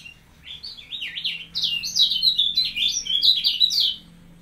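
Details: Kecial kuning, a caged bird being trained by placing it close to another bird, singing a fast stream of high, slurred chirping notes for about two and a half seconds, with a steady low hum behind.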